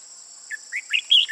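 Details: Mature Red-whiskered bulbul with red eye-rims on both sides, used as a trapping decoy, recorded 15 June 2018; a quick warbled phrase of about five notes climbing to a bright, loud final pair, over a steady high insect drone.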